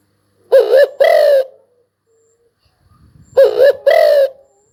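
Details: Spotted dove cooing: two hoarse, low phrases about three seconds apart. Each has a short wavering note and then a longer, steadier coo, with faint rustling between them.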